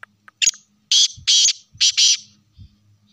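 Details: Black francolin calling. A short rasping lead-in precedes a loud, harsh series of three grating bursts within about a second and a half, with a faint low rumble beneath.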